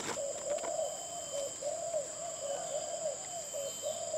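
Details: Spotted dove song of mellow, low cooing notes linked in a continuous rolling series, each phrase slightly rising then falling, over a steady high-pitched background whine.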